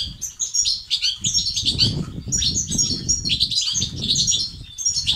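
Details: European goldfinch 'bitbita' and 'sts' song for motivating silent males: busy, high, twittering phrases in two long bursts, with thuds and low rumble in between.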